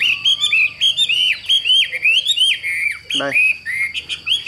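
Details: Chinese hwamei kept in a cage, a persistent singer even while being carried, pours out strong whistled phrases that dip and climb, broken by one short lower buzzy note midway.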